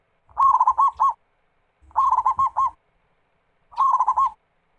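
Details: Zebra dove, local perkutut, in loud lively song to lure other doves: three close phrases of fast, stuttering coos each finished by rolled notes, about one and a half seconds apart, with soft low thumps.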